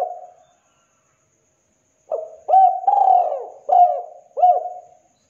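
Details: Spotted dove giving a KUK 2 master song meant for training and luring: after a brief coo and a two-second pause, a run of four or five low, mellow cooing notes, the middle one drawn out and falling, with a quiet background.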